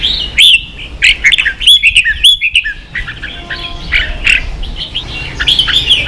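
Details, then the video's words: Red-whiskered bulbul singing in the fired-up ché style, used to train young birds to sing: bright, rapid warbled phrases of slurred whistles and chirps, bunched into bursts with short pauses. "luyện chào mào ché.kích chào nào hót ché căng lửa"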